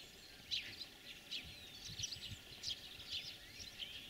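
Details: European greenfinch in spring: bright, clipped chirps and short trilled notes repeated roughly every half second, with light low rumble underneath.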